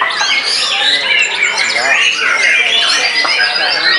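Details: White-rumped shama, post-moult, in an intense singing frenzy: looping whistled notes and bending slurs mixed with scratchy squawks, dense and varied without a break.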